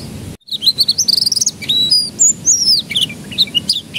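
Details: Canary singing as a lure so young canaries begin to sing: rapid high trilled notes followed by clear whistled slides and varied chirps, with a low hum behind.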